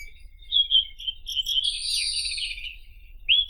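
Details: A White-throated robin sings a dense, buzzy, chattering phrase of high notes, closing with a brief rising whistle. A low rumble stays faint underneath.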